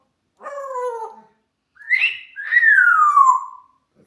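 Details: A pet African grey parrot, asked by its owner to bark like a dog, gives three hoarse, falling bark-like notes: a short low woof, then a higher rising yelp, then a longer sliding howl-bark.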